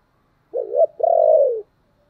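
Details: Spotted dove coo, a lure for wild doves to answer: a wavering, two-part low hoot followed by a longer, steady coo that drifts downward, clean with no other sounds.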